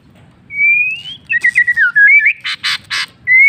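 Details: White-rumped shama singing in the afternoon: a long rising clear whistle, then quick warbled slurred notes and harsh buzzy bursts, ending on a steady high whistle.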